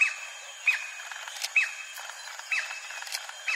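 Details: White-bellied woodpecker in a large tree at the Rainforest Discovery Centre, Sepilok, Sandakan, Sabah, giving loud, sharp, high, downslurred 'kyeer' notes, five or six in under four seconds at an uneven pace, over a steady insect hiss.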